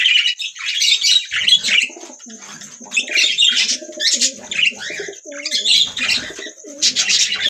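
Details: Budgerigars keep up bursty, high chattering and squeaky warbling in clustered outbursts, with softer lower murmuring notes running underneath between the louder bursts.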